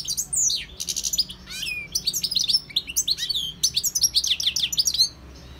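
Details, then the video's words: A wild European goldfinch (Carduelis carduelis) delivers a loud, continuous stream of liquid twittering: fast swooping notes, buzzy trills and sharp chirps tumble together almost without a break against a quiet background. "GOLDFINCH SINGING 1H Chant Chardonneret اسمع واستمتع صوت الحسون البري Jilguero Campero"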